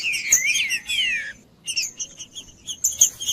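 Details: Caged pale-breasted thrush singing to warm up another thrush for song tournaments: rich whistled phrases sliding down between about mid and high pitch, then a pause and a run of short sharp chirps, with a steady thin high tone behind.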